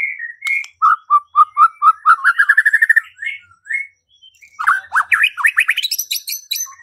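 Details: White-rumped shama singing to provoke rivals into singing and fighting: quick series of clear whistled notes accelerating into a rattle, then rising sweeping phrases climbing higher.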